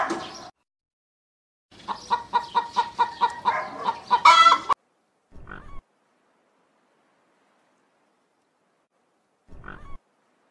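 A chicken gives a rapid run of harsh, pulsed clucks, followed later by two brief isolated notes.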